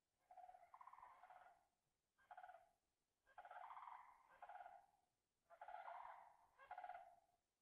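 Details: Several sandhill cranes flying over Yellowstone National Park as they migrate south, giving loud rolling, rattling bugles in bursts of about a second, with short pauses and overlapping voices.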